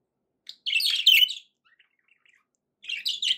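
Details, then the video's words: Happy pet budgie chatter: a loud burst of scratchy, squeaky warbling, a pause with a few faint ticks, then another warbling burst. "happy budgie sounds"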